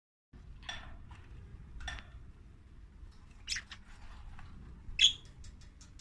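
A budgerigar gives short, scratchy chirps and a bright squeaky note over a low background rumble.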